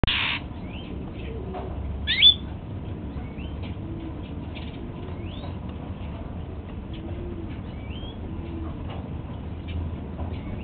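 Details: Male Golden-fronted Leafbird kept at home, eating apple for breakfast: one harsh rasping burst opens, then a sharp rising chirp near two seconds and faint thin upslurred whistles scattered throughout over low background hum.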